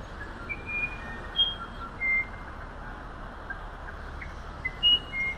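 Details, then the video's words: Song of the musician wren, or wirapuru, native to humid Amazonian forest: a few sustained pure whistles, separate notes stepping between higher and lower pitches with short gaps, steady low background noise throughout. "Canto del Cucarachero Musical"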